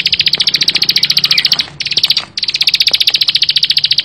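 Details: Dense 'bren' singing from a bar-winged prinia: quick, evenly spaced high chips in a rattling run, broken by two short hitches before the rapid stream resumes.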